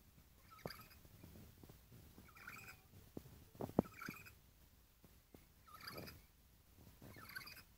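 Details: Lory kept for sale, calling in short hoarse, buzzy bursts about every one to two seconds. Loud wooden knocks and tapping, probably from movement nearby, are mixed in.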